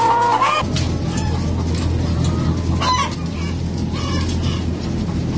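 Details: Caged laying hens in French egg farms, February 2012: loud squawking calls with bending, wavering tones at the start and again near three seconds, over a steady low mechanical hum and a constant background chorus of many hens.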